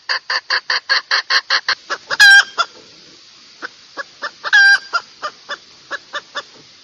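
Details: Red junglefowl calling: a fast run of short, even clucking pulses, roughly four per second, broken by two brief ringing crow-like calls, then sparser clucks trailing off.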